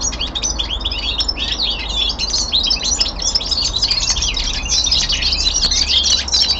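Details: A home-kept young male common linnet pours out a lively, jumbled song of rapid twitters, trilled runs and piping whistles, about three notes a second, continuous from start to finish.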